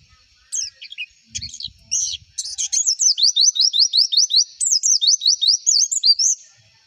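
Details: White-eye song used as a lure recording to get other white-eyes singing: sharp rising chirps, a few scattered notes first, then a fast even series of upslurred whistled notes, roughly two to three per second, with faint low thumps early on.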